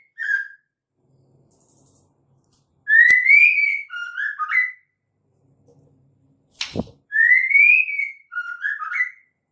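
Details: Female white-rumped shama calling to prompt males to sing: two whistled phrases several seconds apart, each a rising slurred note followed by short lower wavering notes, with a sharp click between them.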